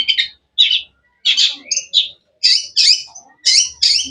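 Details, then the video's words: Harsh, buzzy high chirps from a long-tailed shrike (cendet), delivered in paired bursts with short gaps, a few cleaner whistled notes mixed in. "Bird chirping sounds"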